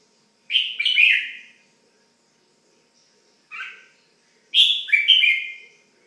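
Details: Red-whiskered bulbul, a kept pet bird, giving three short bursts of rich warbled notes separated by pauses of one to three seconds, with the middle burst brief and softer; otherwise quiet.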